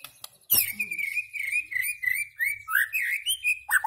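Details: White-rumped shama singing: a loud burst opens a run of clear whistled notes held around one pitch, then bends into varied rising and falling slurred phrases with quick chirps, a faint low hum underneath.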